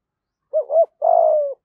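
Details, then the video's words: A decoy spotted dove with a 'giọng thổ' voice, used to call in wild doves, gives one phrase: a short hoot, a slightly longer rising note, then a drawn-out low coo sliding gently downward. "cu gáy giọng thổ gáy gọi bổi rừng & bổi nhà gáy theo"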